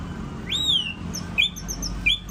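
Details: Singing-contest champion white-rumped shama in Ladong giving a loud, clear, long whistle that rises then falls, followed by two shorter sharp upslurred notes, over steady background bird noise.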